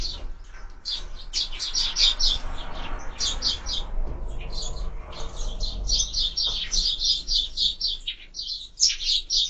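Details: Rapid repeated chirps from sparrows at a bird feeder, about four per second in busy clusters, separated by short quieter stretches with a low rumble.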